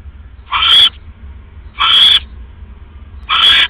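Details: Owl nest at 3:40 AM, October 5, 2015, when the male returns with another rat; three drawn-out, breathy, hissing screeches about 1.4 seconds apart.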